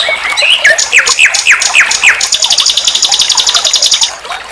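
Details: Nightingale song, called sikatan londo, recorded for training songbirds: about six loud down-slurred whistled notes repeated at a steady pace, followed by a long rapid high trill of clipped notes lasting nearly two seconds.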